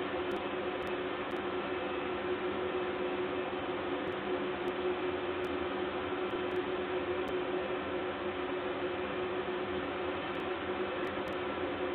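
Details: Steady broadband hiss and mechanical hum fill the recording throughout, with a few faint clicks and no animal calls.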